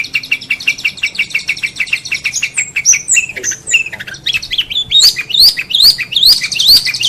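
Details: Long-tailed shrike song from a tutoring recording for competition birds: a fast run of repeated high notes, then loud rising slurred whistles and varied sweeping phrases.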